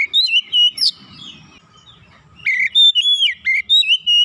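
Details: Once-silent Oriental magpie-robin (kacer), stirred by a single lure, bursts into lively gacor singing: clear whistled notes and slurred glides in short bursts, a pause of about a second, then rapid varied whistles resume.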